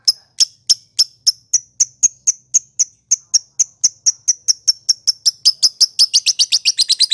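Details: Lovebird ngekek konslet, used to provoke caged birds: crisp high ticking notes that start about three per second and steadily speed up into a fast, dense rattle by the end.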